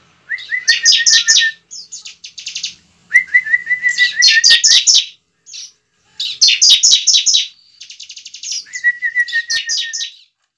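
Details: Bar-winged prinia fighting song to prompt singing: each phrase opens with a thin whistled trill of even notes, then bursts into loud, harsh high chirps; four such phrases.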